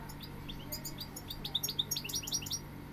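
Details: European goldfinch song of quick, high tinkling twitters and chirps, bursts of sharp notes clustered in the second half against a steady low hum.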